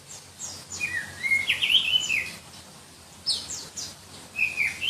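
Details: Black-breasted Oriental magpie-robin (kacer dada hitam), endemic to Berau, East Kalimantan, a contest bird known for shrill, tightly packed song; a continuous run of slurred high whistles and sharp notes, then a brief second phrase.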